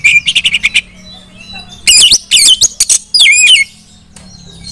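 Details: Female white-rumped shama calling to other shamas to get them singing, giving a fast series of short clipped notes, then loud rich whistles and twisting, warbled phrases separated by brief silences, over a faint low hum.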